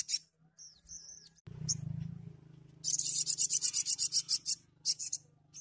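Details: Lively sogon song in the tembakan style, meant to trigger singing in untrained birds: thin whistled twitters, then a long burst of rapid, shrill repeated notes over a low droning hum.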